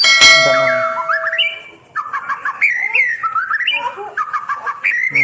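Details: White-rumped shama song played to tutor birds that stopped singing: a loud broadband click opens, then varied whistled phrases sliding between low and high notes, with chattering trills and short rising figures.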